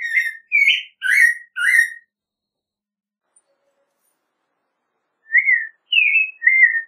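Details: An American Robin (Turdus migratorius), common across North America, sings short, rich whistled phrases that rise and fall in a caroling series.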